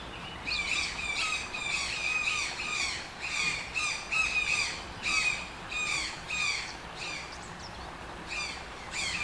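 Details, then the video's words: Toucan giving a harsh squawking series, loud harmonic yelps repeated in quick bursts about one and a half per second, some rising then dropping, with a pause near the end and faint outdoor background. "TOUCAN SOUNDS - Toucan Sound Effect"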